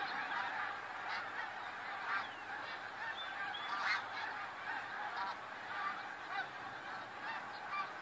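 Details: Snow geese massed in a huge flock on February 28, 2013, their honking forming a loud, surging roar that swells and fades, with occasional individual nasal calls poking through.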